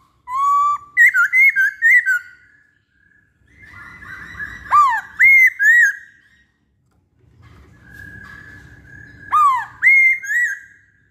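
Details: Masked laughingthrush singing bursts of rapid, clear, arched whistles, five or six notes per burst, with low rustling noise between bursts.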